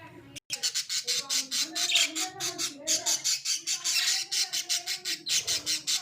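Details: Caged pet Australian budgerigars in a small cage, harsh scratchy chattering bursts repeated about three to four times per second, nearly continuous with one brief silent break near the start.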